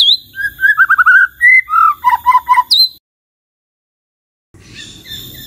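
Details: White-rumped shama, used to set other shamas answering and singing, delivers a quick run of rolling whistled trills and stuttering notes with high chips. Song stops after about three seconds; faint hiss follows.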